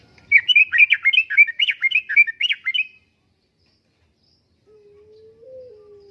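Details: Sooty-headed bulbul singing gacor uplik-uplik song, recorded to lure and tutor caged birds: a burst of about a dozen fast, bubbly chattered notes over two and a half seconds, then silence and a faint low steady tone.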